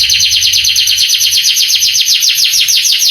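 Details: Canary song intended to excite young canaries: a steady, fast, buzzy high trill of repeated notes throughout.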